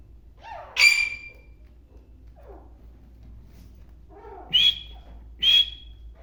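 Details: Black francolin calling: one loud, sharp, whistled note, a pause of over three seconds, then a softer lower note leading into two more piercing high whistled notes about a second apart, in quiet surroundings.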